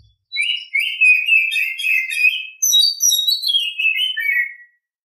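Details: Oriental Magpie-Robin morning song: a dense, musical sequence of warbled whistles, then a brighter high phrase that slurs steadily downward, all clear and unbroken over about four seconds.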